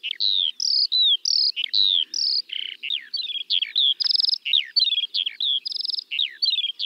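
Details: High, rippling skylark song from fields in spring, slurred whistles mixed with short buzzy trills, the notes rolling on without a break.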